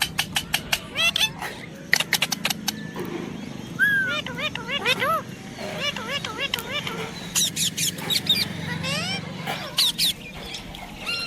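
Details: Baby pet parrot at play, practising talking: rapid clicks and chirps, then wavy, speech-like warbling syllables repeated in bursts over a low steady background hum.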